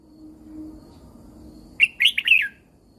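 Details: Red-whiskered bulbul in a cage in Thailand, song used to rouse and train birds: after a quiet start, a single fast phrase of three or four sweet, slurred whistles falling in pitch.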